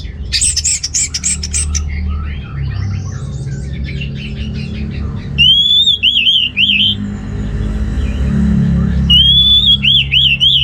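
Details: Continuous orange-headed thrush song for stimulating males without breeding drive: fast rattling high bursts and varied chatter give way to clear wavering whistles repeated in quick loops, over a faint rumbling background.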